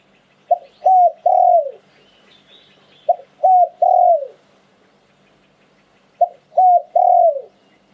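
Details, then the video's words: Liu tan style song of a spotted dove, an auspicious bird. Three identical low phrases about every three seconds, each a quick note, a short coo, then a long falling coo, with faint twittering from other birds between. "หลิ่วตัน คารม นกมงคล เสียงนกเขาใหญ่"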